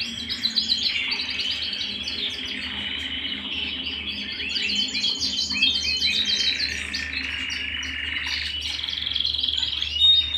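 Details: Pet canary in song, delivering long rolling trills and bursts of rapid, stuttering high notes that swell and fade over ten seconds, with a low background hum.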